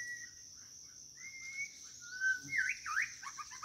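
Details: Calling for a mate, a White-rumped shama gives sustained whistled notes, each flat or gently sliding, then a rapid rising-and-falling flourish of crisp notes, backed by a continuous shrill insect drone.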